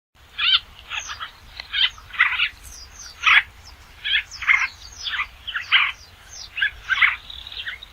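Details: Basra reed warbler song: a steady run of harsh, grating, chattering phrases, each under half a second, coming roughly once a second, with a faint low hum throughout.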